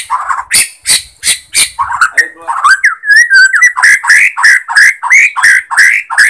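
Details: White-rumped shama from Borneo, song serving as a lure to stir other shamas: harsh scratchy notes, a short clear whistle, then a loud series of rising slurred notes repeated about three times a second.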